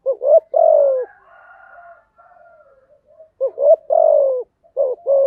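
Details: Cooing song of a spotted dove, played to coax freshly caught birds into singing; two-note hooked coos followed by a drawn-out descending coo, with a faint softer second cooing voice between phrases.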